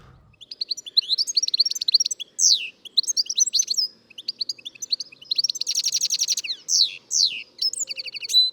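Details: European goldfinch song, described as liquid notes: a fast, continuous twittering jumble of liquid, tinkling notes with buzzy trills and quick rising and falling phrases, high-pitched throughout.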